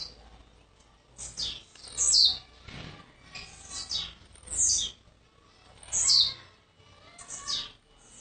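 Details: Newly arrived kept blue-black grassquit from Jacarepaguá, Rio de Janeiro, delivering high buzzy descending phrases with softer notes between them, roughly every one to two seconds, over low background noise.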